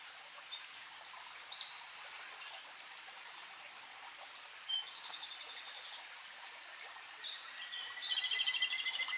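Japanese robin song: high, quick trilled and rattling phrases delivered every couple of seconds, over a steady hiss like running water.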